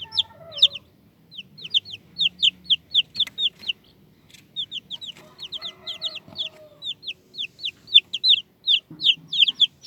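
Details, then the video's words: Several chicks giving shrill, downward-slurred peeps in quick bursts, broken by brief pauses, with soft low murmurs and a faint lower-pitched voice between the series. "cute chicks and squeaky squeaky sounds"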